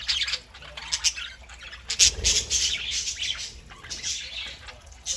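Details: Lively Saturday-morning chatter from a group of pet parakeets: rapid, overlapping high chirps and scratchy warbles, busiest at the start and around two seconds, with a brief low thump.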